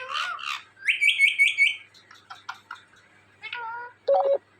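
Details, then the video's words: Indian ringneck parakeet kept as a talking pet, uttering a string of harmonic speech-like syllables and a rapid run of four bright repeated notes, then shorter squawky phrases and a final loud clipped call. "Indian Ringneck Talking Parrot"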